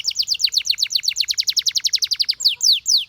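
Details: Song of a canary meant to draw other canaries into chirping: a fast, steady series of sharply falling chirps, close to four per second, ending in a few slower, longer downward sweeps.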